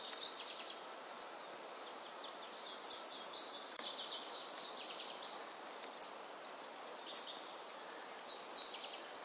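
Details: Tristram's bunting in Pingtung County, Taiwan, recorded 15 November 2019: sharp, very high single tick notes repeated irregularly about every second, over a busy twittering chatter of other small birds and a steady background hiss.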